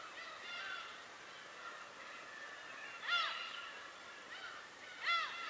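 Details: Wild birds recorded on Tobishima give two loud, nasal, down-arching calls about two seconds apart, set against a constant background of overlapping calls from a crowd of birds.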